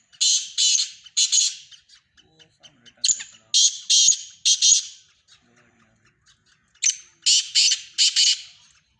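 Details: Black francolin calling in a mix of Sindhi francolin voices: loud, rasping, grating squawks in groups of two or three, with pauses between groups and a thin whistled note leading into some groups.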